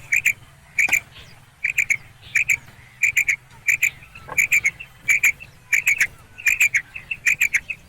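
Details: A female common quail, used as a lure for catching quail, gives short, sharp clicking notes in quick pairs and triplets, repeated several times a second with brief pauses between groups.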